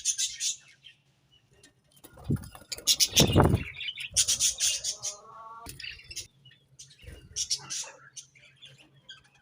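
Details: Pet budgies in the morning giving scattered bursts of high chirps and scratchy twitters, mixed with low thumps and rustling, possibly wing flaps, and a short stretch of lower, harmonic notes.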